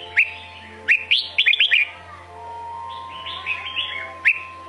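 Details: Sông Kôn red-whiskered bulbul delivering clipped whistled chirps followed by a quick cluster of four or five liquid notes, a quieter warbling pause, then another sharp chirp; low steady hum behind.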